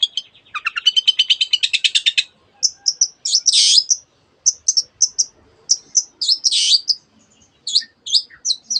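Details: Long-tailed shrike in full song, mimicking canary and many other bird species: a fast buzzy trill of rapid repeated notes, then short high whistled chips and harsh rasping bursts in quick succession.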